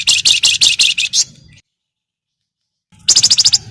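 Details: Javan myna, locally called flamboyan, giving a rapid chattering call used as a lure to get other birds singing: about seven harsh, buzzy notes in quick succession, a short silence, then another fast burst of similar notes.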